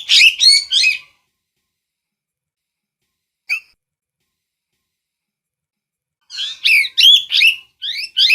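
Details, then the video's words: Short bursts of raspy parrot screeches open and close the recording, with a long quiet stretch broken by one brief isolated note. "เสียงนกแก้ว, Parrot sound"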